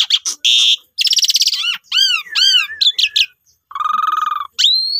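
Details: Asian pied starling lure song to provoke other starlings: rasping buzzes, a series of arched whistles, a low nasal buzzing note and a final upslurred whistle.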